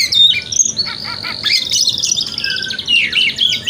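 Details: White-rumped shama, male, singing a varied morning song meant to rouse a kept shama into opening its tail: dense high warbled phrases, rapid trills and whistled notes, with faint insect-like buzzing beneath.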